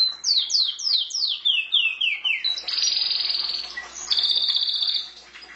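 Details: Pet canary song with about ten quick descending whistled slurs in a row, then a loud buzzing trill and another rolling trill before fading.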